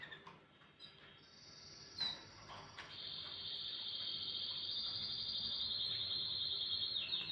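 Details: Canary singing in the morning: a high, steady, rolling trill held almost unbroken for about six seconds, rising slightly in loudness, over faint low background noise.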